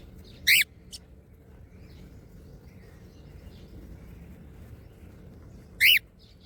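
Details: A cockatiel at feeding time gives two loud, sharp, harmonic screeches about five seconds apart.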